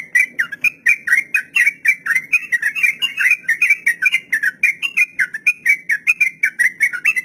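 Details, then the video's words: Long 'ropel' song of a sooty-headed bulbul, used as a tutor recording for captive beginners: a rapid, unbroken run of bright whistled notes, about four per second, wavering slightly up and down. "Trucukan Ropel panjang || masteran buat burung trucuk pemula"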